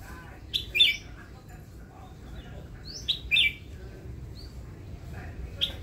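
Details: A newly acquired pet red-whiskered bulbul kept for its song sings short, bright, bubbly whistled phrases, four bursts in six seconds with pauses between, over a low steady background hum.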